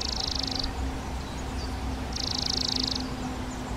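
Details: Spotted flycatcher nest in a half-open box on the back of a garden hut, parents carrying in flying insects; two broad high hissing bursts about two seconds apart over a low steady hum.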